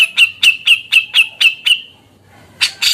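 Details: Singing grey-cheeked bulbul giving a steady run of seven clipped harsh notes, about four per second, then a pause and two loud broad rasping bursts.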